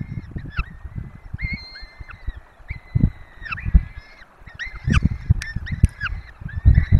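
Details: Peregrine falcon pair feeding four young at their nest in the Barycz Valley, filmed by webcam. Drawn-out, level calls alternate with quick clipped notes and sharp ticks, backed by irregular low thudding and rumble.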